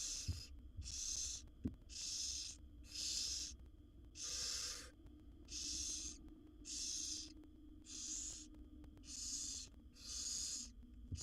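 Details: A wild barn owl mother feeds her seven chicks in a nest box as they keep up rasping hiss-snores, ten breathy bursts about once a second, with occasional knocks and a brief low murmur.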